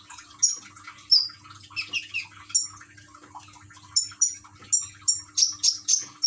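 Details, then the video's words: Common iora, known locally as konin, kept caged in Gresik, East Java, with trickling water therapy to prompt singing; mixed chirps at first, then a run of clear high whistled notes repeated roughly twice per second near the end. "Burung konin rajin bunyi dengan terapi gemercik air"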